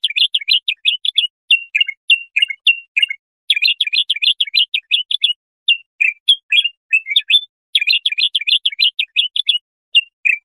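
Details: Bulbul in continuous song, meant for tutoring young goldfinches or hybrids: long, rapid streams of chattering, warbling notes, broken by short runs of separate whistles, with no other sounds.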